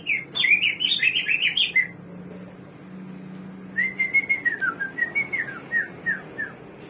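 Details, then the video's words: Singing Hwamei (samyong or garuwa), said to have 1001 voices: a dense, rapid jumble of varied whistled notes, a pause, then a steady line of clear whistles slurring down in pitch. "KICAU BURUNG SAMYONG //GARUWA 1001 SUARA"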